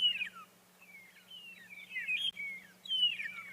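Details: Many magpie shrikes, perhaps 10 to 50 in a flock around the vehicle on a sunrise safari on 8 March 2022, give thin, high, downward-sliding whistles that overlap; a steady low engine hum runs underneath.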